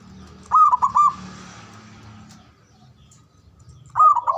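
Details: Ngoar manggung call of a male zebra dove, meant to stimulate mating arousal: a short burst of clipped, trilled coos, a long pause with low background rumble, then another trilled coo phrase starting.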